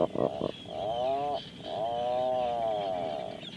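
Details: Atlantic puffin: two short, abrupt notes, then two long, level, harmonic moans, the second held for almost two seconds, over a faint background hiss.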